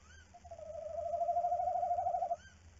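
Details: A tawny owl (Strix aluco) at a webcam-monitored nest box at night, as the female briefly leaves while the male guards the eggs, gives one long, quavering mellow hoot of about two seconds over a faint low hum.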